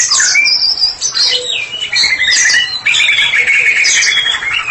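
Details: White-rumped shama, a caged bird kept for therapy, singing loudly and openly: clear whistled notes, a sweeping high phrase, then long rapid trills, continuous with hardly a pause.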